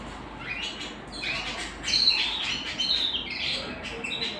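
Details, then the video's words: Canary singing at home, a looser series of chirps and upward-sweeping notes, somewhat quieter, with varied phrases. "canary singing at home"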